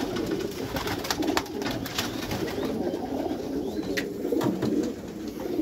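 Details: Backyard loft of Meulemans racing pigeons: several low, throaty coos overlap, with occasional clicks and knocks from movement in the loft.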